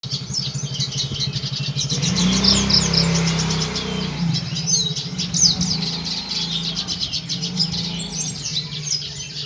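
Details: Red siskin singing energetically: a dense, fast twittering of high, scratchy chirps and trills that runs almost without pause, over a steady low engine-like rumble that swells after the first two seconds.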